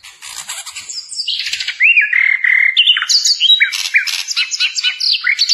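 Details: A flycatcher (sikatan londo) gives a rapid, varied song of high chirps, slurred whistles and buzzy trills, with phrases changing several times a second. It is used as a tutor recording for training captive birds.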